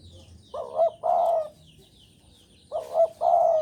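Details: Breeding-mood Javan spotted dove cooing: two phrases about two seconds apart, each a soft doubled note leading into a sustained throaty coo, over a murmur of distant high bird twitters.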